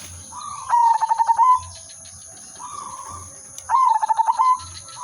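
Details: Melodious singing from a silver zebra dove used to attract others: two bursts of rapid, clipped cooing notes about three seconds apart, with soft purring coos between them.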